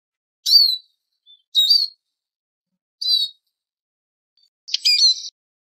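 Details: Eurasian siskin call lure: four high, clear, whistled notes that each dip and then rise, spread over several seconds, with the last note buzzier.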